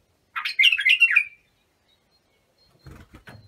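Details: Bulbul singing for the tutoring of young bulbuls: one rich, rapid warbled phrase of chirpy notes lasting about a second, followed by soft handling knocks and thumps.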